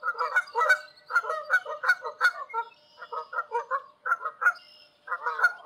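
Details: Wild Canada geese calling in flight high above open country in Canada: a flock of harsh, nasal honks repeated in rapid irregular bursts, some overlapping, with brief pauses between groups.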